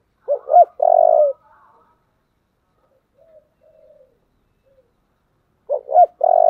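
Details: Spotted dove in 'giọng thổ' voice giving 'thúc' and 'gáy gọi' calls: a full phrase of two short hoots and a long burred coo, faint quiet coos in the pause, then the same phrase starting again.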